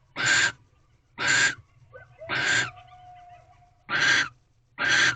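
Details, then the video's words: Barn owl pair in a nest box on a February night during mating, female holding a rodent the male brought. Five rough hissing screeches about a second apart, with a thin steady whistle-like tone between them. "Barn Owl Mating Second Night Part 11. Female With Rodent"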